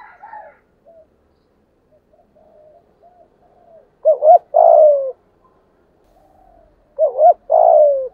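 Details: Spotted dove cooing in the 'thổ' style, a full 'thúc gù' sequence meant to call wild doves to the perch to fight. Quiet low murmurs give way to two loud phrases, each a doubled short note and a drawn-out falling coo.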